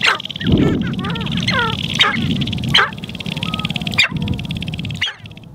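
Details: Sharp-tailed grouse displaying on their lek in spring in Montana, recorded from a blind: short, nasal, whining clucks in quick bursts, sharp dry clicks, a steady high hiss, and low wind rumble with noise from the blind.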